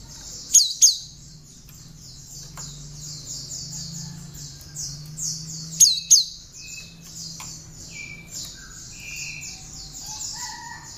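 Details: Cinereous tit with bar-winged prinia notes, recorded as tutor song for other birds: paired loud, piercing high notes twice, separated by about five seconds of continuous rapid high chatter, with short lower whistles late on.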